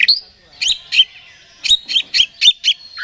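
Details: Lure song of an oriental magpie-robin, meant to provoke a rival into agitated singing: a high whistled opening, then a run of six or seven short, sharp chattering notes spaced about a quarter-second apart.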